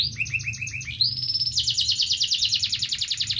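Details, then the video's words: Song of a local canary: a short stutter of chirps rises into a long, rapid, even trill of high repeated notes. Faint low background rumble. "KENARI LOKAL | KICAUAN KENARI"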